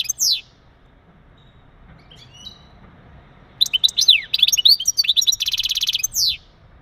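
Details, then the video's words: Male European goldfinch mating calls to encourage a female to breed: one high note, a pause, then a lively run of chattering twitters, a buzzy trill, and a final descending note. "بتبتات ونداءات التزاوج عند ذكر الحسون فعالة في تجهيز أنثى الحسون"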